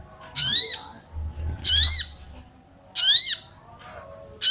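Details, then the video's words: Female sooty-headed bulbul, calling to rouse male birds into song: strident, buzzy arched notes repeated about every one and a half seconds, four in all, with a steady low hum behind. "SOGON BETINA MANCING BIRAHI SOGON JANTAN"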